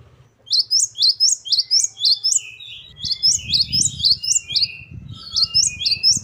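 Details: Great tit song: rapid series of sharp rising-then-falling notes repeated about twice a second, in two long runs. A low rumbling hum sits underneath throughout.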